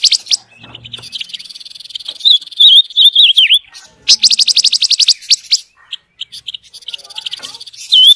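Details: Song of a rainbow lorikeet, a mastering sound for caged birds. A thin high trill gives way to whistled, wavering slurs, a burst of rapid buzzy chips, then short pauses and more looping whistles.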